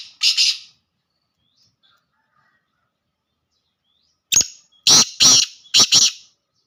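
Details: Black francolin in the 'laka' call style: a single harsh rasping note, a pause of nearly four seconds, then a rapid series of four scratchy, grating bursts.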